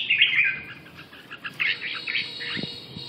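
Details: Rapid, scratchy series of high chirps and warbled notes from a red-whiskered bulbul, delivered almost continuously over a little less than three seconds.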